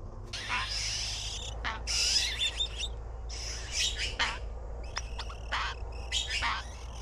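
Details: Nestling blue magpies begging as they wait for food: loud, repeated harsh raspy bursts, some in quick runs, some as sharp clicks, continuing throughout.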